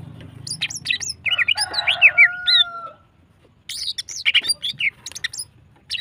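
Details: Greater green leafbird female singing energetically to stimulate other birds: fast chips and curved whistles run together alongside a long steady whistled tone, then after a brief silence resume as a rapid jumble of bright notes.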